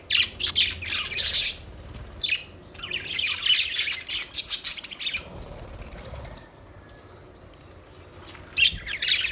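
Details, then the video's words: Budgerigars chirping in bursts of rapid, scratchy warbles and sharp chirps, two busy spells separated by a quieter stretch, then a final short burst of chatter. "Budgies Chirping Sounds Beautiful Parrot Sounds"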